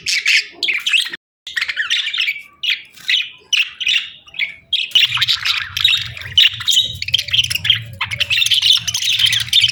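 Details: Pet budgies twittering in short squeaky bursts that grow into a steady dense warble, with a low steady hum in the background during the second half.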